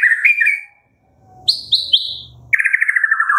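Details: White-rumped shama morning song for prompting captive birds: a rich whistled phrase, a pause, three falling high notes and a rapid trilled descending phrase.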